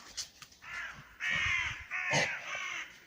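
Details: Crows cawing loudly by the river Clyde at Bothwell Castle, Scotland, in summer woodland: harsh, hoarse calls of about half a second each, two or three in quick succession, while a woodpecker is heard nearby.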